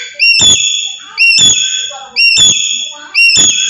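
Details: Black-capped lory from Papua giving loud calls used to provoke other birds: shrill whistled notes that step sharply upward, repeated about once a second, each accompanied by a dull thumping knock.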